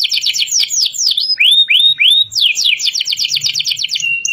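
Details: Young canary practising song: descending swept notes, three arched whistles, then a long run of rapid sweeping trills ending on a flat whistled tone.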